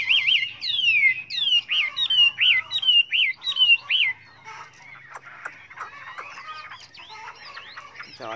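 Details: Chinese hwamei song of many voices, opening with a quick series of looping, warbled whistles repeated about once a second, followed by softer, scratchy mixed notes and a low trill at the end.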